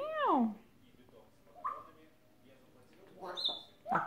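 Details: A male pet grey parrot talks in short voice-like bursts, mimicking a meowing cat and a barking dog: a falling meow-like wail, a brief bark-like note and a thin high whistle, with a person speaking nearby.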